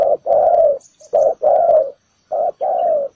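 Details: Spotted dove used as a ground decoy to lure wild doves into a trap, giving deep, mellow coos in short-then-long paired phrases, three groups within a few seconds, with faint high chirps between.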